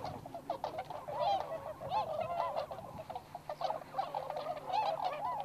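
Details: Wild tundra swans, including the American subspecies, at a wintering site in Inzai, Chiba, Japan: a flock giving many overlapping soft honking and bugling calls, continuous chatter with several birds calling at once.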